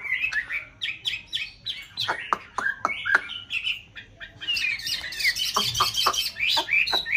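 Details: White Chinese hwamei in a conservation aviary in a mountain town, breeding season: quick repeated whistled notes and sharp snaps, swelling into a dense, loud, chattering warble.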